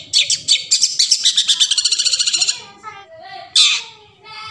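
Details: Forest song of a long-tailed shrike, played to lure silent shrikes into singing: a quick even series of about twenty harsh chattering notes, then soft low whistles and one loud scratchy burst.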